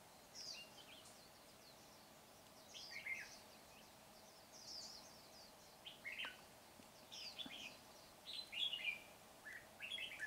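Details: Decoy red-whiskered bulbul singing during bird trapping on 19 January 2021 to lure wild birds into fighting. Short, bright chirped phrases, some slurred down, come in irregular bursts every second or so over a steady low hum.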